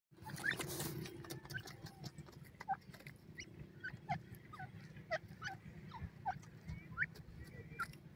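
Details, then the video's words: Francolin chicks in a forest, giving a steady stream of short, thin peeps that slide down in pitch, scattered unevenly over several seconds against a low rumbling background. "titur ke awaj,jungli tetar k chicks,francolin in the forest"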